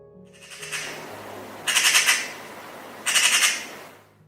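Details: Eurasian magpie in the UK giving one of its most common calls: two harsh, rattling chatter bursts about half a second each, separated by a pause, over faint low background hum.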